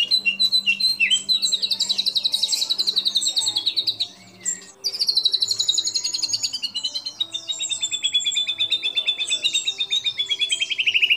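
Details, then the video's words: White-rumped shama in full song, played as a lure to prompt other shamas: a dense, continuous high warbling trill with fluttering variations, one brief break, then a long fast chattering run. "MURAI BATU GACOR FULL ISIAN FULL TEMBAKAN DURASI PANJANG. PANCINGAN MURAI BATU PILIHAN MURAI GACOR"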